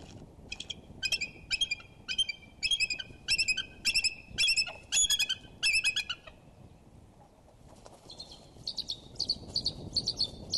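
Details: Bald eagles at the Decorah nest while mating, 3 February 2012, 11:05am CST. Loud bursts of high, rapid piping chatter notes with harmonics, repeated for about six seconds, then a quieter trailing chatter. A low wind rumble sits underneath.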